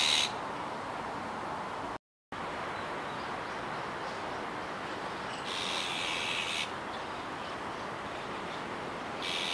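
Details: Juvenile azure-winged magpie in Kiba Park, 17 July 2019, calling with one full, rasping hiss of about a second, plus brief fragments at the start and end, over a steady background rumble.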